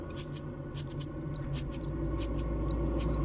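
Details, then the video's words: Myna chicks squeaking as food is brought, with shrill, brief chirps in irregular pairs and groups over a loud, steady low mechanical hum. "Myna Bring Food come Feed baby"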